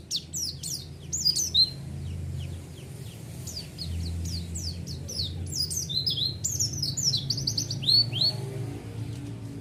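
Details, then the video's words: White-eye lure song meant to provoke a response: scattered high, sharp, sliding chirps that build into a dense twittering run near the end, over a steady low background hum. "Pancingan Suara Burung Pleci"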